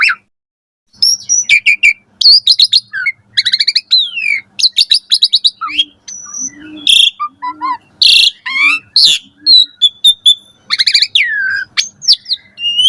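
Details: Long, rich song of an Asian pied starling in the morning, used to train caged birds to sing: dense bursts of chattering clicks, rapid whistled trills, harsh rasps and sliding notes following one another with hardly a pause.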